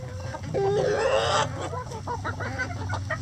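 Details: Chickens in a coop, clucking with a long rising drawn-out squawk near the start, followed by shorter irregular clucks and calls from several birds over steady low background hum.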